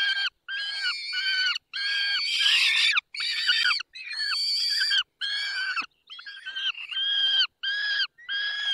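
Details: Barycz Valley, Poland, 20 May 2021, during feeding at 10:22: a peregrine falcon gives a steady series of strained, whining cries, each about half a second to a second long, with brief gaps between them.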